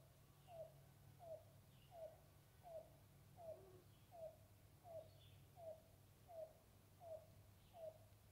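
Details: A Yellow-billed Cuckoo in Torbolton Forest, Constance Bay, northwest Ottawa, on May 31, 2023, around 6 pm, gives a steady series of eleven hollow, slightly down-slurred coos, about one every 0.7 seconds, over a low rumble and faint distant chirps.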